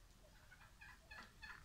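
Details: Green peafowl (Pavo muticus imperator) at a peacock farm in 2016 gives a quick series of short, harsh, honking notes that grow louder toward the end, over a low background rumble.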